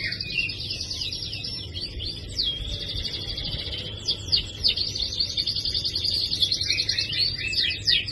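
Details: Canary singing to coax a quiet canary into song: long rapid trills and chattering twitter runs, sharp accented notes around the middle, continuous and loud, with low background hum.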